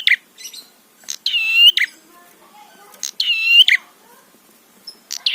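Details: Prinia song used as bait to stir up other prinias: drawn-out, harmonic, slightly rising notes repeated twice, with softer scratchy sounds and faint background murmur between phrases.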